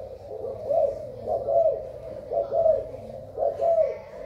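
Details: Spotted dove of Thai type, 24 February 2019: mellow, slightly rolling coos repeated in four groups about one second apart, with a faint background hum.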